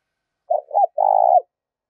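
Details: Spotted dove giving 'gáy thúc' and 'gáy gọi' calls, used to stimulate and train decoy birds: two short low coos, then one longer burry purring note, over a silent background.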